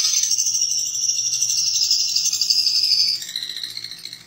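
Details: Long-tailed shrike master song carrying imitations of house sparrow, canary, lovebird, kapas tembak and cililin: a loud, fast, buzzy high trill held for about three seconds, then dropping slightly lower and fading.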